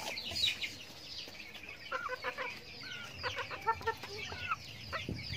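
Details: Flock of backyard farm chickens eating feed; quiet start, then a run of short clipped clucks and rising chirps in uneven clusters, with faint background hum.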